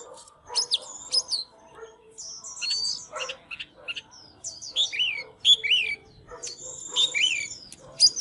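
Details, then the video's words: Oriental magpie-robin, fired up and display dancing, delivers scattered whistled and scratchy phrases, somewhat soft against a steady background murmur. "Chích chòe than LÊN LỬA || HÓT MÚA ĐẲNG CẤP"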